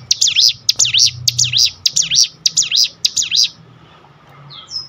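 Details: Sunda bush warbler in full ngebrem song, used as tutor and lure material: a fast series of high, bright notes, each dipping down and back up, repeated about twice a second for four seconds, then a faint short whistle.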